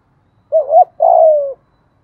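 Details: Lure song of a spotted dove, 'thổ' voice type, played to stir and train freshly trapped birds into singing: a short wavering coo with a rising inflection, a brief gap, then a drawn-out falling coo, with no background noise.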